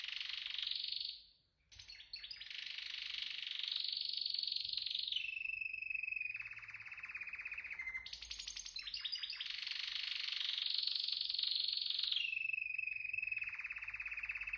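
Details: Canary singing a continuous run of rapid rolling trills, broken by a short pause near the start. It shifts to a lower, steadier buzzing tour midway, then returns to higher fast rolls with a brief sharp burst of notes between them.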